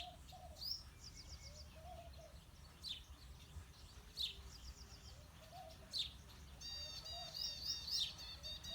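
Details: House sparrows, male and female: short bright chirps repeated every second or two, with a denser burst of quick chirping near the end, over steady low background rumble.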